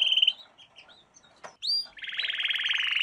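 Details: Singing canary in a lesson for young canaries: a short bright trill, soft scattered notes and a pause, then a sharp upsweep and a dense, buzzy trill building in loudness.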